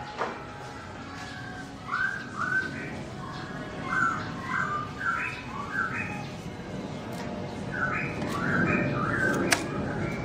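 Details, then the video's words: Garrulax chinensis, the black-throated laughingthrush, singing while its owner is away: a run of short whistled notes and slurred chirps over a steady background hiss, loosely paced. "Bird Garrulax chinensis: Birdsong Chirping Melodious When The Owner Is Away"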